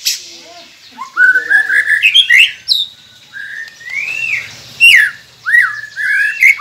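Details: White-rumped shama masteran for prompting quiet captive birds to sing. Rich, varied whistled phrases with rising and falling slurs, separated by short pauses and mixed with a few sharp high notes.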